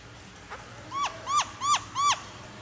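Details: White-browed laughingthrush giving four short, ringing notes with a falling tail, spaced about a third of a second apart, over steady background hiss and a faint low hum.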